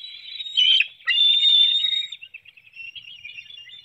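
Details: Bald eagles at a webcam-watched nest in Hanover, Pennsylvania, 7:04 a.m., 9 June 2019, as an adult brings a small fish and feeds a young bird. Two high, thin whistled squeals, the second long and steady, then softer twittering.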